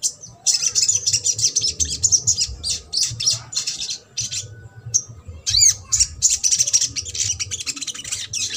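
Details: Sogok ontong in trotol song style, played as a lure to make silent birds sing: dense, rapid bursts of high, sharp chattering notes, tightly packed, with one rising whistled slur near the middle and a low background hum.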